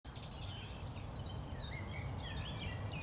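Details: Common Chiffchaff singing alongside a blackbird, recorded 29 April 2021; a run of short, high, clipped notes at a steady pace, mixed with other thin bird phrases over heavy low rumbling background noise.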